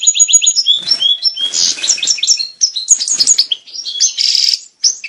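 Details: European goldfinch breeding-stimulation song: a lively jumble of bright twittering notes, quick rising chips and a brief buzzy burst near the end, loud and nearly continuous with a short pause.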